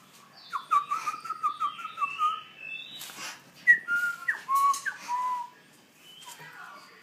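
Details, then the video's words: Young black throat learning to sing: a run of clear whistled notes, several level tones repeated in quick succession, then a few falling and upslurred whistles, with soft clicks behind. "Young black throat"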